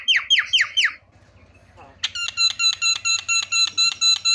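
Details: Javan myna lure calls meant to set other mynas calling: four quick down-slurred notes, a short gap, then a steady series of clipped, ringing notes about four per second.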